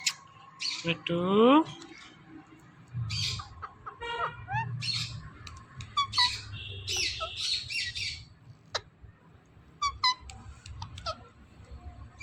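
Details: Ringneck parrot talking: harsh squawks and short raspy word-like bursts with scattered clicks, a swooping rising note early on, and a low rumble in the background.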